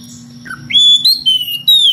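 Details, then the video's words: Kacer, the magpie-robin, ngeplong calling a rival: a low short note, then long, pure, loud whistles that rise and level off, with a steady background hum. "SUARA KACER NGEPLONG MEMANGGIL LAWAN DENGAN VARIASI SUARA ANEH"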